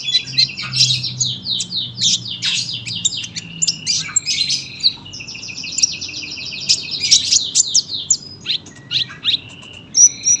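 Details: A sunbird singing a long, dense song: rapid high chirps and trills in quick descending runs, sustained almost without pause for ten seconds, with faint low hum beneath.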